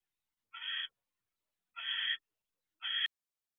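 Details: Barn owl on guard outside the owl box in the evening of 6 December 2023, mate inside: three short raspy hissing screeches about a second apart, the last cut off by a click, otherwise quiet.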